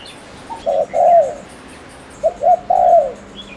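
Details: Spotted dove, a decoy bird from Ninh Thuận, Vietnam, cooing to provoke males: two coo phrases, each a short note, a brief note and a long downslurred coo, about 1.7 seconds apart, with faint high chirps behind.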